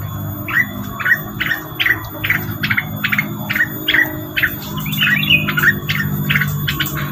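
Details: Rengganis lure recording with regular short chirps repeated roughly every third of a second, ending in a slightly more varied twittering phrase, over steady low hum.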